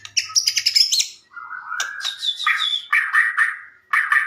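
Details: White-rumped shama song for luring other shamas to reply: a high rattling trill, then a long mid-pitched buzzy phrase and repeated rough, burry notes separated by short pauses.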